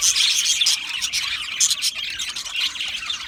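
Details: Aviary colony of Australian budgies giving a loud, crowded chorus of scratchy chirps and sharp squeaks, many voices at once.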